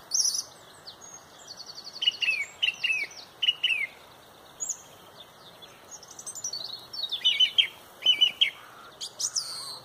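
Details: Dawn chorus in Pontrobert at sunrise, led by a loud song thrush: short whistled phrases each given two or three times, with high trills and chirps from other birds overlapping.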